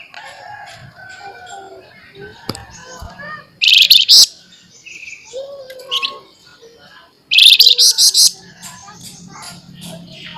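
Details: A flamboyan in full, active, sharp chattering song, used as a training recording: long passages of soft warbling and thin high notes broken twice by loud, fast, harsh trills about four seconds apart.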